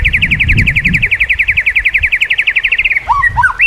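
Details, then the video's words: White-rumped shama training song: a rapid, even rattle of bright notes lasting about three seconds, ending in short falling whistles, with low rumbling behind. "masteran burung murai. mewah awas! kesurupan"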